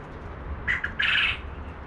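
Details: A male Japanese (Coturnix) quail, separated from his hens, crows a bright, not-too-loud harsh buzzy call: two short clipped notes, then a longer rasping phrase, over faint background hum.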